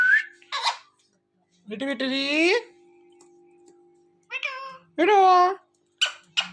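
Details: Talking pet rose-ringed parakeet watching a phone: scattered mimicked words and a meow-like phrase, nasal and harmonic, separated by pauses, with a steady low hum and faint music.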